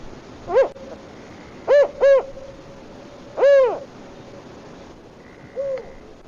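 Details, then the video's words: A spotted owl in Zion National Park gives its low, hollow four-note hoot: a single note, a quick pair, then a longer drawn-out hoot, followed by a fainter note. "Spotted Owl"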